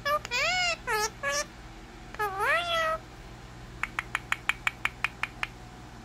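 A pet rose-ringed parakeet talks in wavering, meow-like voiced phrases, then gives about ten quick, sharp clicking chirps at a steady pace.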